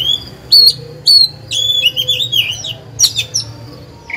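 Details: Caged oriental magpie-robin decoy singing to stir rival birds into song: clear high whistles and sharp clicks, then a warbling run of sliding notes and a few abrupt chips.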